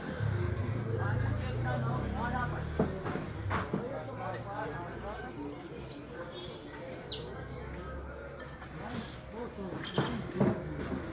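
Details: Bananaquits singing in northeastern Brazil, several birds. A thin, buzzing high trill is followed by three high descending whistled sweeps. Low rumbling background noise and occasional knocks continue throughout.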